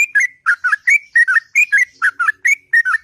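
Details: Morning ngropel song of a sooty-headed bulbul, long and sweet: quick bubbly whistled notes paired in rising and falling twos, tumbling steadily over three seconds without a break.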